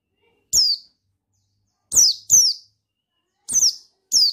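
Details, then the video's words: Male pleci buxtoni white-eye, a sound used to provoke other white-eyes into singing: five sharp, very high, down-slurred notes, spaced irregularly, some in quick pairs, with no other sounds. "Suara Bikin Pleci Ngalas Emosi Memancing Bunyi Pleci Bustomi Gacor Ampuh"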